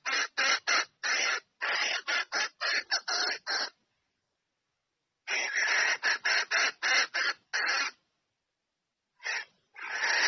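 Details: Female red junglefowl calling the male to mate, delivering three bursts of fast, harsh cackling notes separated by pauses of a second or more, in a quiet setting.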